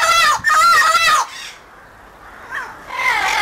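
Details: Amazon parrot trained for free flight calling to other Amazons to keep contact; a loud, nasal, tonal squawk about a second long with a slight waver, followed by quieter pause and softer notes.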